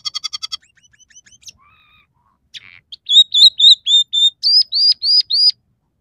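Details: Scaly-breasted munia singing with fill-ins of house sparrow, red siskin and canary. A brief rattle gives way to thin scattered notes, then about a dozen loud, ringing arched whistles delivered at an even pace.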